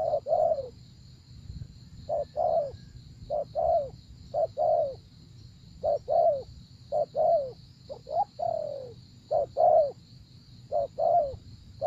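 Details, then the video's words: Spotted dove repeatedly cooing, crisp short notes paired with down-slurred longer notes at a steady pace, accompanied by a continuous high-pitched whine and low rumble. "Cu Gáy"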